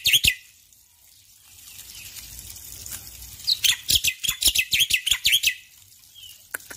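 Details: Morning song of a male black-winged myna: a sharp opening note, a quiet stretch, then about two seconds of fast, loud, harsh chattering with squeaky whistled inflections, ending in scattered clicks.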